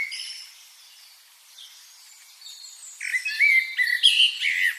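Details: Birds chirping: thin, quiet high notes at first, then from the third second a louder burst of quick, sharp chirps and short trills repeated in rapid succession.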